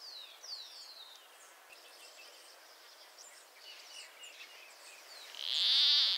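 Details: Northern Peru recording where high, descending chirps and faint twittering of other birds come first, then an endangered Peruvian plantcutter gives one loud, harsh, buzzy bleat near the end.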